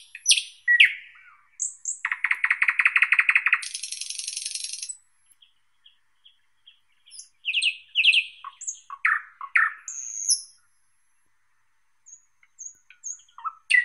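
A thrush nightingale sings loud, varied phrases: high whistles, a dry, rapid rattling burst of clicks, then sharp chirps and piping notes separated by short pauses.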